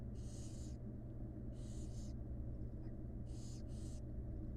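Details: Wild barn owl chicks being fed by their mother in a monitored nest box give four long, rasping hisses, the last two back to back, over a continuous low hum.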